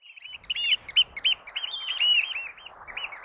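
Eurasian oystercatcher giving loud, shrill piping notes in a rapid, uneven series, several birds overlapping into a noisy chorus.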